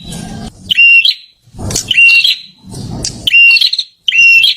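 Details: Prinia singing: loud bursts each opening with a scratchy note, then a steady whistle near 3k held about half a second, repeated roughly every 1.3 seconds. Low rumbling noise fills the gaps.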